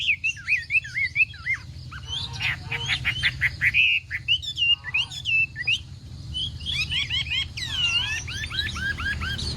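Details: Chinese hwamei in a singing contest, morning voice practice: looping whistled phrases mixed with harsh, buzzy rattles and fast chattering bursts, over a steady low hum in the background.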